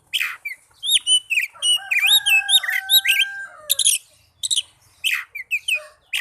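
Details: Oriental magpie-robin song played to stimulate caged birds to sing, especially lazy ones: varied whistled phrases with rising and falling notes, rapid chirps and long steady tones, delivered in quick bursts with short pauses.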